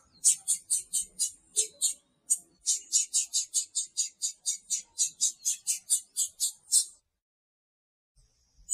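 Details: Female blue-black grassquit calling to stir up the male, giving a long, fast run of high, clipped chirps, about three per second, for nearly seven seconds. A brief pause breaks the run, and a faint high tone follows.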